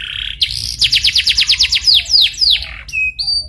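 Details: Canary in full song on a lure track for prompting canaries to sing: a short whistle, a fast run of about a dozen descending chirps, slower downslurred notes, then thin separate whistles.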